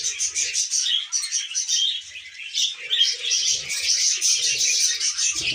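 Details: Cheerful budgerigar chatter, rapid chirps repeated about two or three times a second in an unbroken high warble, growing busier toward the end.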